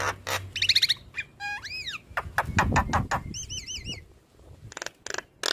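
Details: Black-winged starling kept in a cage, singing energetically and bobbing its head. Harsh noisy bursts alternate with rising whistled slurs and a wavering, looping whistle phrase, with low rumbling background noise.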